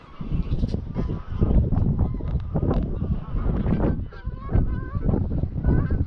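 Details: Greylag geese in evening flight from grazing ground to a roost lake on Anglesey, flock of some 200-300; busy chorus of honks and short cackles over gusty wind rumble.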